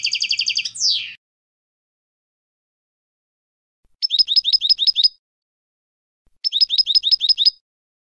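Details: European goldfinch: a fast trill ending in a downward slur, then two separate bursts of about eight sharp, evenly spaced tinkling notes after pauses.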